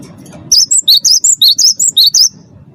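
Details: Champion wingko Cinereous tit, singing as a lure for other birds: about ten loud, high, ringing whistled notes delivered rapidly in under two seconds, alternating higher and lower, with quiet low background hum.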